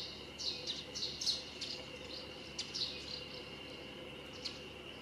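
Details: A russet sparrow sings in street trees in the Nikko Yumoto hot-spring town, with common sparrows also present: quick, bright chirps in loose bursts every half second or so over a steady high insect-like hum.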